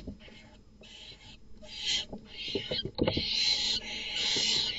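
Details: Barn owls in a nest box at night, where an unrelated male that had hung around the tree for nights enters and kills another male's chicks. Broadband hissing bursts, rising to a long loud rasp, with thumps and knocks.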